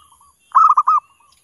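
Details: Zebra dove calling song used as a lure for other doves: a quick burst of four or five bubbling staccato notes lasting about half a second, with faint soft notes before and after and a thin steady high hiss.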